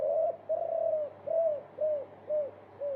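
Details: Spotted dove multi-coo training song for caged birds: six soft, low arched coos at an even pace, slightly muffled, with a steady background hum.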